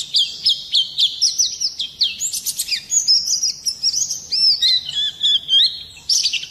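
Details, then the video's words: Rolling, sharp-noted Oriental white-eye song in the ngerol nembak style, used to provoke other songbirds: varied high twittering phrases with quick rising and falling slurs, delivered in short bursts separated by tiny gaps. "Pleci gacor ngerol nembak kasar cocok mancing emosi"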